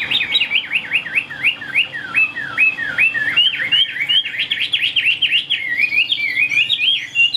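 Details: A caged Chinese hwamei sings with quick beak speed: a long, rhythmic chain of loud zigzag whistles, each note rising then dropping, repeated a few times per second with slight variations throughout.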